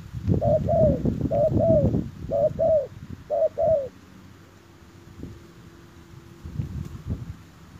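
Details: Spotted dove call used to lure wild doves: paired falling coos repeated four times in the first half, then silence from the bird, with loud low rumbling noise throughout.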